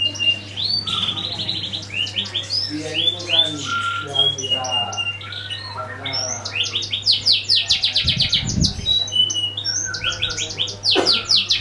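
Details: Canary singing as a lure to prompt other birds to sing: dense, fast high chirps and buzzy trills with rising and falling whistled notes, strung together almost without pause, over a steady low hum and faint low thuds.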